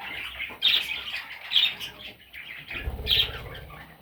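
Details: Baby parrots repeating shrill, rasping squawks roughly once a second, with faint softer chirps between and a low rumble near the end.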